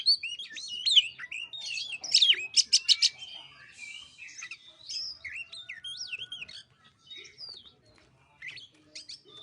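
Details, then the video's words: White-rumped shama song recorded as a lure to make a bird sing: looping whistled phrases and a rapid series of chips, then quieter slurred notes fading toward the end. "Pancingan kacer males bunyi"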